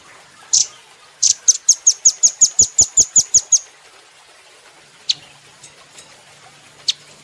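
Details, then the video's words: Training recording of a caged velvet-fronted nuthatch: one isolated chip, then an even run of about twelve high, penetrating notes, followed by quieter spaced single chips. "Rambatan Doraemon Super Gacor"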